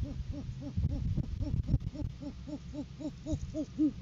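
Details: Rapid string of about fifteen short, arched, hooting notes from a great horned owl, live cam footage from courting season, 7 January 2023, when the male arrives with a food gift for the female; low background hum.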